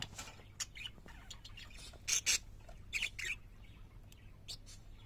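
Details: Pet parakeets give scattered soft chirps, then paired loud, rasping squawks around two and three seconds, with faint twitters trailing off.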